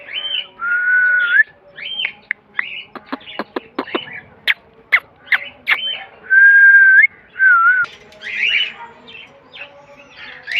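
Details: Pet green parrot, a Mithu or rose-ringed parakeet, talking: steady pure whistles, harsh squawks and a rapid run of sharp clicks, then more flat whistled notes and scratchy chatter.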